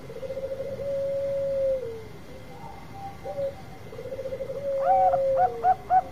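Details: Bangkok-type zebra dove giving a long song meant to provoke other doves into singing: stuttering, trilled low coos drawn into long notes, then a few sharp hooked coo notes at the end, over a faint steady high whine.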